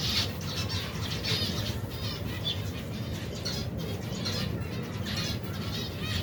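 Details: Feeding finches and their young in a colony of more than 120 pairs in cold weather; scattered bright chirps and chattering bursts over strong low-pitched rumble.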